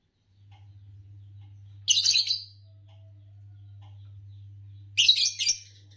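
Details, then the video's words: Green Fischer's lovebird, noted for long songs in Indonesian song competitions, producing two harsh scratchy chirp bursts about three seconds apart against a steady low electrical hum. "Lovebirds Chirping Sounds"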